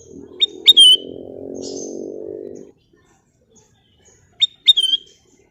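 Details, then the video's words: Golden bulbul singing two short phrases about four seconds apart, each a brief sharp note, a click, then a clear whistled note that slurs slightly downward; a steady low hum runs underneath during the first half. "Siulan Cantik Burung Kutilang Emas"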